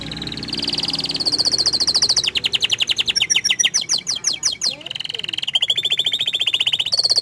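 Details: Continuous canary song: high steady trills give way to a run of fast, loud pulsed notes, then to smoother rolling tours, with faint speech-like sounds underneath.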